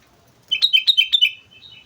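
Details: Sooty-headed bulbul singing in lively 'gacor' style on Mount Slamet: a loud, quick string of about six bubbly, high notes, closing with a softer trailing note.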